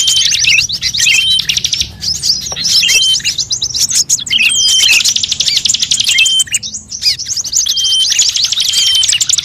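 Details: Compilation of many songbird voices, among them leafbird, shrike, drongo and starling, used to lure birds; bursts of fast high trilling and twittering separated by brief pauses, with occasional thin whistles.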